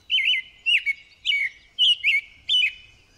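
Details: American Robin singing its long "cheerily cheer up" song, a steady run of five short caroling phrases, each about half a second, clear whistled notes with a slightly screechy edge, evenly spaced.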